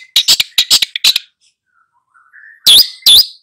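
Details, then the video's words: ['Long-tailed shrike tutor bird singing to train two young birds: a rapid cluster of five harsh, high chirps, a brief quiet gap with a faint thin whistle, then two loud ringing notes.'] "SUHU CENDET FULL GACOR MELATIH 2 MURIDNYA"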